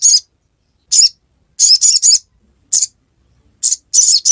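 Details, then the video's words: High, scratchy chirps from a sogok ontong (little spiderhunter), given singly and in short clusters of two or three at irregular intervals, ngiriwek style. "Sogon | Kicauan ngiriwek"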